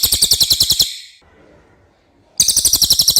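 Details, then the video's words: Clear common iora song, offered as tutor material for training songbirds: a fast rattling trill of sharp, evenly repeated high notes, breaking off into a second of quiet before the rattle resumes near the end. "suara cililin jernih pas untuk masteran MB"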